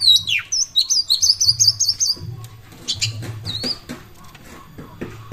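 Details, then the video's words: Oriental magpie-robin in full song, played as a lure for other birds: a quick series of about eight identical high chipping whistles, then scattered fainter notes over background rustling and a low hum. "pancingan burung kacer gacor pasti langsung buyi jos"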